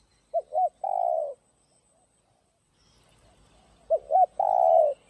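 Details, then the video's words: Spotted dove giving the 'giọng đồng' urging coo used to fire up decoy doves. Two phrases, each of two quick arched notes and a drawn-out coo, are separated by about three seconds of near silence with faint rumble. "Cu Gáy Giọng Đồng Chuẩn GÁY THÚC GÙ Kích Mồi Tập Bổi Ức Chế.Tiếng Cu Kích Trống"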